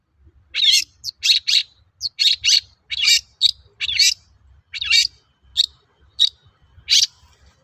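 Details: Long-tailed shrike song used to stir other shrikes into singing: a fast, irregular series of loud, grating notes, roughly one per second, some doubled, over a faint low hum.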